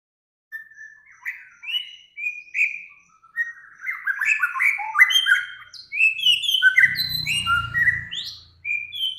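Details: Bird song used as a training master for cage birds. Short whistles build into a fast, varied cascade of sliding, chattering notes, with a burst of low rumbling noise partway through.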